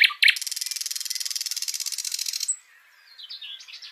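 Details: A live nightingale sings two sharp opening notes, then a long, fast, buzzy rattling trill lasting over two seconds, followed by quiet, high, twittering whistles.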